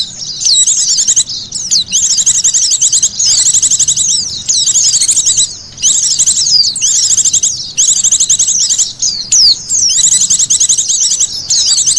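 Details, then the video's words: White-eyes twitter in a thin, very high, rapid stream of chirps, in bursts of one to two seconds with brief pauses, used as a lure call to attract other white-eyes. "SUARA PIKT BURUNG PLECI"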